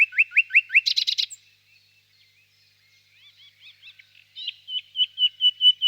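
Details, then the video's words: Distant nightingale in a spring birch grove at evening, giving quick repeated chirps and a buzzy burst, a quiet gap with faint twitters, then a clear series of repeated whistled notes. "Пение соловья"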